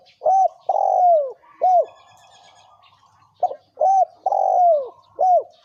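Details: Male and female spotted doves in the thổ kim voice style, a recording meant to provoke wild doves; a repeated sequence of short arched coos alternating with longer sustained coos that fall at the end, with a brief pause mid-phrase.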